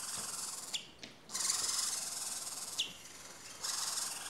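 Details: Barn owl chicks four weeks old hissing almost without pause, long rasping bursts overlapping one another with only brief gaps, the noisy sound filling the scene.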